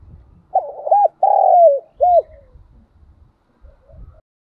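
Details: Decoy spotted dove cooing to train and lure other doves, kept for bird training: a hoarse three-part coo, two short notes then a longer drawn note with a clipped final coo, over faint low rumbling.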